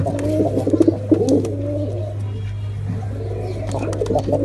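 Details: Male and female pigeons attacking; bubbling coos for about two seconds, then mostly a steady low electrical hum with faint calls returning near the end.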